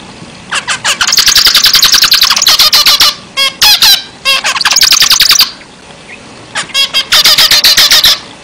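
Zebra finch song in fast bursts of nasal, buzzy, rattling notes, high and harsh, broken by brief pauses; no other sounds stand out.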